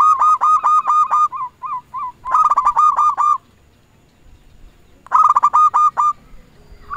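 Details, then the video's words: Local zebra dove in full song, used as a lure bird calling rivals: loud runs of rapid staccato coos, rolled and stuttering, given in three bursts separated by short pauses, with a quiet background. "Perkutut lokal gacor RAJA PIKAT memanggil lawan sekali dengar bikin semua perkutut nyaut"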